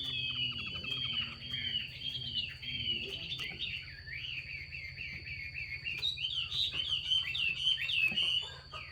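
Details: Female Chinese hwamei calling to stimulate males to sing: a long run of warbled, wavering notes, rising and falling without pause, over a constant high electronic tone and low hum.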